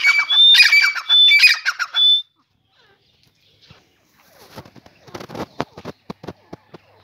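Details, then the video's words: Teetar, a grey francolin, heard in the morning giving two loud, shrill, grating call phrases, each with a clear high whistle, followed by silence and then faint scattered clicks and rustles. "Beautyfull teetar Morning Walk"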